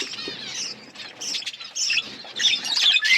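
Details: A flock of colour budgerigars during chick growth, raspy chirps and twitters building in loudness toward the end, with faint wing and rustling noise.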